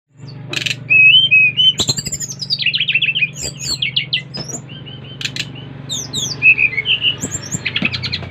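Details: Brown-chested jungle flycatcher from Bali, aged five months, recorded 30 July 2024 while singing to stimulate other birds. Bright whistled phrases and chattering trills run over a steady low hum, with scattered clicks.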